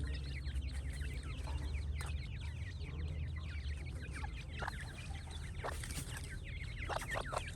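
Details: A group of francolin chicks calls without pause, thin high peeps rising and falling in quick succession, with occasional clicks over low background rumble.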